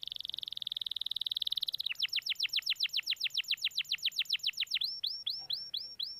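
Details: Singing canary on a lure recording meant to coax a reluctant canary into song: a steady buzzy trill gives way to rapid repeated downward-sweeping notes, ending in slower rising-then-falling whistled phrases.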